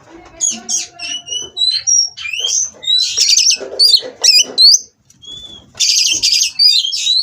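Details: Mating Oriental magpie-robin (kacer) from a captive breeding farm, singing to goad rivals: fast mix of whistles, harsh rattles and sharp upslurred notes, one brief pause midway.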